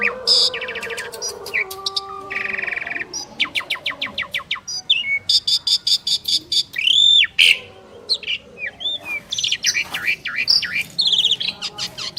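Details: Two prized Asian pied starlings singing together in a duet: a dense, varied run of harsh squawks, rapid clicking rattles, whistled upslurs and buzzy notes, with steady lower tones underneath, possibly faint background music.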